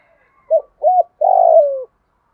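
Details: Spotted dove, thổ pha đồng voice type, sounding its fighting challenge and calling coo: a brief note, an arched coo, then a long buzzy coo that slides down in pitch.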